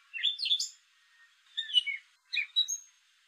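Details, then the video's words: Three separate bursts from a male gray catbird, each a quick tangle of chirpy squeaks and slurred whistles, spaced about one second apart with silence between. "Gray catbird call"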